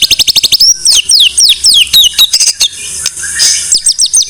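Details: White-rumped shama song from a tutor recording for training songbirds: a fast run of sharp high chips, then loud downslurred whistles repeated roughly every quarter second, ending in bright chattering notes.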